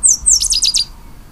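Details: One brief phrase from a pale-headed brushfinch: two piercing, high downward-sliding whistles lead straight into three or four quick, slightly lower slurred notes, all in under a second, over near silence.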